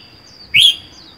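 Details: A single loud, quick rising chirp from a caged red-whiskered bulbul living alone, caught wild four months earlier, with a persistent high electronic tone in the background.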